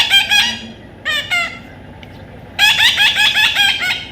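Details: Baby Indian ringneck parrot being tamed, giving harsh squawking calls in a quick rhythmic burst, a short pause with a few calls, then another long run of repeated rasping squawks.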